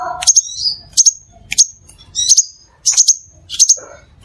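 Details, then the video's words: Crimson sunbird (Aethopyga siparaja), a nectar- and insect-eating bird, used as a lure call: sharp, very high chips and short buzzy trills in quick bursts, about one every two-thirds of a second, faint low rumble beneath. "SUARA PIKAT DAN PANCINGAN BURUNG SEPAH RAJA"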